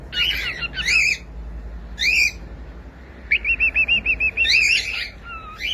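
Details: Cockatiel singing harsh chattering chirps in clusters, then a quick string of repeated short whistled notes, followed by more chatter and a falling whistle.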